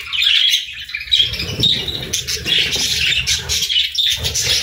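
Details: Budgerigars chirping at morning feeding time, a dense chorus of warbled chatter and squawky chirps from several birds, with low knocking and handling sounds underneath.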